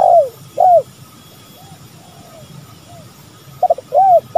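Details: Spotted doves, male and female, calling on a lure recording: the tail of one phrase with two falling coos, soft faint coos in between, then a new phrase starting with clipped notes and an arched coo.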